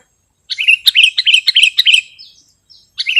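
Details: Sooty-headed bulbul song used as a lure or master recording for training birds: a loud run of quick bubbly chirps with whistled notes, broken off and resuming briefly at the end.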